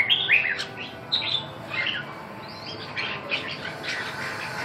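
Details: Red-whiskered bulbul producing scratchy, chattering whistled notes in loose bursts, some slightly harsher and squawk-like, scattered across the recording above a steady faint hum.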